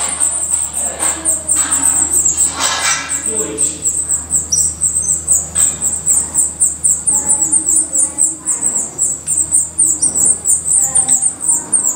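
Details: Black redstart at the nest, Portugal. Rapid, high-pitched calls run without pause, about four each second, shrill and even in pitch, with scattered low rustles and knocks underneath.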